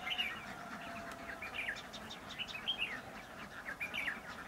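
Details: Red-whiskered bulbul near a bird trap, repeated short chirpy warbles with bright rising and falling notes, phrases recurring about every second, over faint outdoor background hiss.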